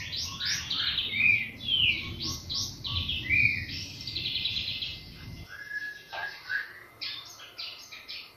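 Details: White-rumped shama lure song, used to provoke other birds into singing: bursts of varied, sweet whistles and chattering notes, with a low rumbling background that stops halfway, leaving a few clear whistled phrases.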